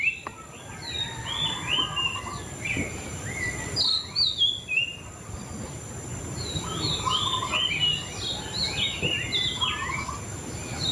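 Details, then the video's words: Lively white-rumped shama song: rapid runs of sharp whistled notes and flicking chirps, pausing briefly, then resuming with dense varied phrases over steady background noise. "Suara Burung Murai Cacing"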